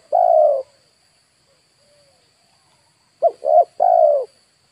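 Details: Lure call of a spotted dove for attracting wild birds: one long low coo, a quiet pause, then a phrase of two quick short coos and a longer sustained note, over a constant thin high whine.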